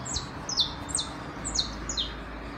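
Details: In the city, a saffron finch from a tame pair visiting a terrace gives five evenly spaced, high, falling chirps, roughly one every half second, above a steady low hum.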